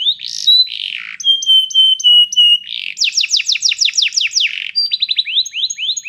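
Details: Training song of a canary: a rising note and buzzy phrase, a series of level whistles, then rapid falling sweeps and upward-slurred notes, varied and continuous.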